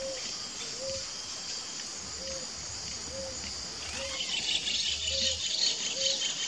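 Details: Ruddy ground dove pair (Columbina talpacoti) giving brief, low, clipped coos spaced about one second apart. A dense, shrill insect drone fills the background and grows louder toward the end.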